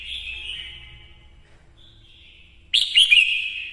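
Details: Red-whiskered bulbul female used to excite males, singing a long fading whistle, a brief higher note, then an abrupt lively phrase of twisting whistles over a low background hum.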